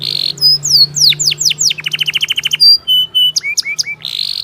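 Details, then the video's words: Canary song used to coax a stalled, lazy bird into singing: buzzy high tones, falling whistled sweeps, a rapid rattling trill, then short flat whistles and upslurred chips, over a low steady hum. "obat ampuh kenari macet dan malas bunyi"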